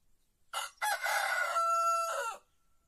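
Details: White rooster crowing in an Andalusian village among olive groves: a short opening note, then a loud, harmonically rich call held steady for over a second before dropping away at the end. The background is otherwise quiet.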